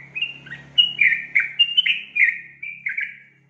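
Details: Female Yellow-vented Bulbul calling to lure a male into singing: a quick run of bubbly, liquid notes around two to three kilohertz, each rising then dropping, with a faint low steady hum underneath.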